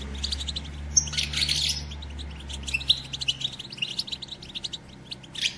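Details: Female European goldfinch batbata chatter to stimulate males to sing and mate: rapid high twittering with a loud scratchy burst early on, over a low background hum.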